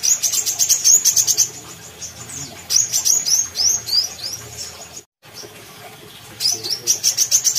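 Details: A brown-throated sunbird in Kalimantan sings actively, very high, thin twittering notes in quick chattering bursts, with scattered sharp chips and a brief break partway through.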